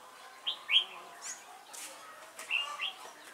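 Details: Trapping decoy red-whiskered bulbul with a thick crest and bell-like voice, 12 November 2017; two short bright whistled phrases, each a couple of quick rising-falling notes, about two seconds apart.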